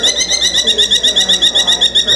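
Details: A captive female falcon, the second largest falcon species, a winter migrant to the Willcox valley, Arizona, that chases songbirds, gives a harsh, rapid chatter of sharp, nasal notes, about five per second, steady and unbroken; faint background murmur.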